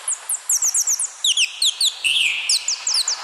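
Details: Parrot chirps: bright, short downward-sweeping notes tumbling over one another, with a brief buzzy squeal around the middle.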